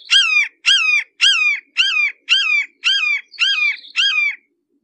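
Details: Red-shouldered hawk, approached at close range, giving a fast series of eight loud, harsh descending screams, each under half a second with clean gaps between. No other sounds are heard.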